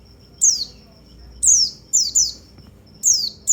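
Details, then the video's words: White-eye song used to stimulate other white-eyes: very high, sharp falling chirps given singly or in quick pairs, about six in under four seconds, over a faint steady high tone and low hum. "perangsang semua burung pleci"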